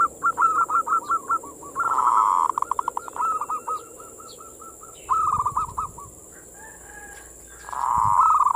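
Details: Perkutut, the zebra dove, cooing its manggung song to entice local doves: choppy rapid notes, a loud purring coo, rattling runs and further purrs, with one brief low thump and a constant high hum.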